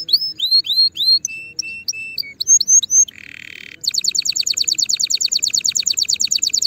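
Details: Canary tutor song for fledglings ahead of the coming season: varied short whistled slurs and steady notes, a brief low buzz, then a quick regular trill of bright repeated syllables.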